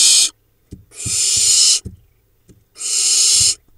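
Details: Barn owl nestlings in a monitored nest in the Hula Valley, Israel, 7 July 2021, four young remaining, preening up close: three harsh, breathy hisses, each under a second, with soft knocks and rustles between them.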